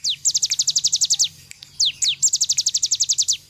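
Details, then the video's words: Cigun bird in full song, chosen as a training recording for other birds: two bursts of rapid, high, downslurred whistled notes repeated about four per second, split by a short pause, with a faint low hum beneath. "cigun nembak nembak cocok buat masteran"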